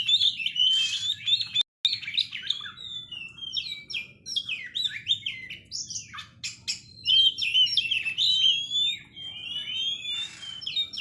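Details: Oriental magpie-robin singing a varied, continuous run of rich whistled phrases, with rising and falling slurs and sharp clicks, and a brief gap partway through.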